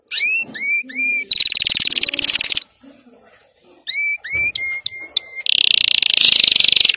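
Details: Canary singing as a lesson for young birds: rising whistled slurs, a loud buzzy trill, a quiet pause, then more slurred whistles, sharp ringing notes and a final intense high trill.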